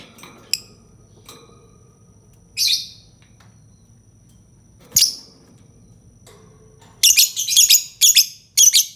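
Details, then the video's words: Lovebird calling: a few scattered sharp ticks and two harsh chirps, then a quick run of rapid, raspy chattering notes at the end over a quiet low background hum. "Suara burung lovebird"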